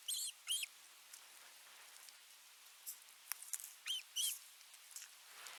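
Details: Baby birds in their nest begging as their parents bring food: brief, thin, high chirps, some doubled, in scattered bursts separated by quiet gaps and soft clicks.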